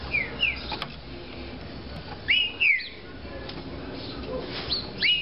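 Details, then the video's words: Caged Green-winged saltator, described as a spirited 'de fibra' bird, gives short clear whistled phrases with slurred rising and falling notes in three separate bursts over a steady background hiss. "TRINCA FERRO DE FIBRA"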